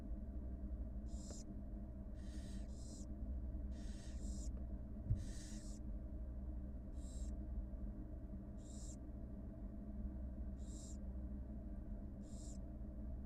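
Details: Wild barn owl mother feeding her two newly hatched nestlings, caught on a live nest camera; breathy, harsh hisses come in short bursts roughly every second or two, about ten over the stretch, above a steady low hum.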